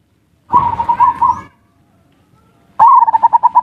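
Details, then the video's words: Zebra dove lure song in ngerot and kuwor styles, aimed at arousing breeding desire and coaxing lazy birds to call; a blurred, rolling coo series, a short gap, then a crisp note and rapid pulsed coos. "Suara pancingan perkutut ngerot dan kuwor cocok untuk perangsang birahi dan burung malas bunyi"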